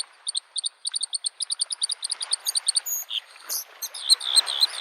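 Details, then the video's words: Spring Bluethroat singing near a lake: a fast, accelerating series of bright, high ticking notes, often paired, followed by a swooping slurred whistle and buzzy trills, over gentle wave noise. "the singing of the bird Varakushki"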